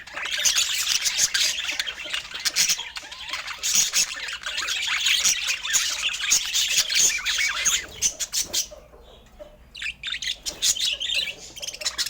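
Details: Budgies offered fruit and healthy food keep up a long, lively chatter of squeaky chirps and raspy warbles broken by repeated clicks, with a brief quieter spell near nine seconds before the twittering resumes.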